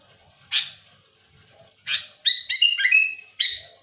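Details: Sooty-headed bulbul singing loudly and actively to challenge rivals. Two harsh, scratchy single notes a second apart, then a quick bubbly phrase of clipped, sliding whistles and one more sharp note at the end.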